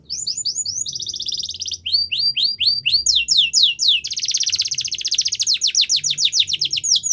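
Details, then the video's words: Russian canary training song with fast chains of high downslurred notes broken by dense buzzing rolls, the phrases running continuously and becoming a long rapid trill near the end. "Russian Canary Singing | The Best Canary Training Song"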